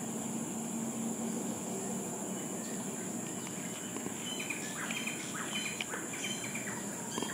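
Greater racket-tailed drongo giving short, varied metallic chirps and clipped whistles in the second half, over a steady high insect drone and a faint low hum.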